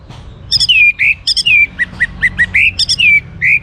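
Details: A young orange-headed thrush delivers lively song to coax other birds into singing: a rapid string of clear, down-slurred and wavering whistles, about a dozen notes, loud and close over slight low hum.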